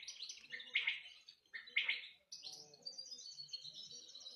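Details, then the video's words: Pet canary singing: two bright, buzzy chattering phrases about a second each, then a rapid, high, ringing trill of quickly repeated notes running to the end, over a faint low background hum. "آواز زیبای قناری"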